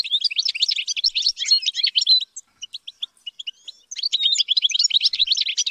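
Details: European goldfinch raised in captivity, trained to sing high: two bursts of fast, jangling twitter with a gap of scattered single chips between them.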